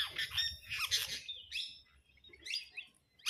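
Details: A parrot flock squabbling over food: loud, raspy squawks cluster at the start, then a pause, scattered shorter screeches, and a final sharp squawk.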